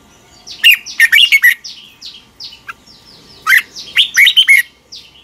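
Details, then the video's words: Fast, fired-up morning song of a red-whiskered bulbul for training birds: two bright phrases of chirpy whistled notes, with fainter descending slurred notes filling the gaps. "luyện chào mào hót sáng. Hót hay nhanh căng lửa. Kích chào mào ché. Cách luyện chào mào hót căng lửa"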